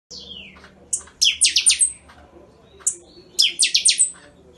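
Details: Buffy-fronted seedeater singing the Chanchão song style, called Catatau with a crackling delivery: a falling whistled slur, then two bursts of rapid, buzzy, stuttered high notes. A low steady hum sits underneath.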